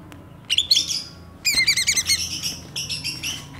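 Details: Two greater green leafbirds, one from Banyuwangi and one from Kalimantan, show their song fill: jumbled high warbling with rapid stacked chirps in two bursts, the second longer and pulsing, over a low steady hum.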